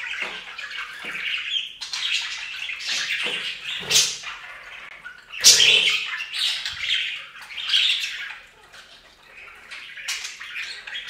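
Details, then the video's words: A group of budgies at a bathing fountain keeps up a steady run of chirpy, scratchy warbling, broken by a few loud sharp squeaks and brief wing flutters; water trickles in the background. "Best Budgie Bath EVER! + Budgie sounds"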